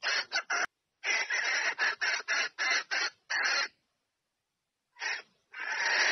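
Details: Hen red junglefowl calling the male to mate: quick bursts of raspy cackles, then a pause and a couple of drawn-out harsh notes.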